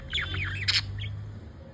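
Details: Two pet budgerigars, a male and a female, grooming each other's feathers; a loud, rapid warbling chatter of twisting, squeaky notes ends in a harsh burst and a single chirp, over a low steady hum.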